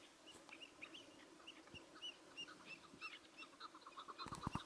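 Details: During a hunt with a tethered decoy, a partridge gives quick, chirpy, slightly rising notes repeated several times a second, growing denser toward the end, where sharp clattering knocks join in.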